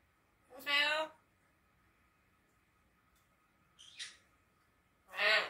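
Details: Three-year-old eclectus parrot talking, apparently saying "hello?": two voiced, speech-like utterances about four seconds apart, with a brief softer sound between them, in a quiet room.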